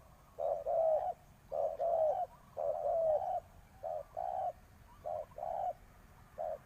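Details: Spotted dove kept as a decoy bird for trapping, cooing to call in wild doves; rough, mellow coo notes in pairs and triplets, short note then longer drawn note, phrases about a second apart over quiet background.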